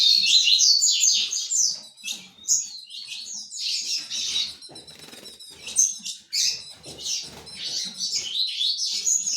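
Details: Ultramarine grosbeak, a tournament-style fibra singer, delivering a rich warbled song of fast, high slurred phrases separated by short pauses, with a few quieter chirps between bursts.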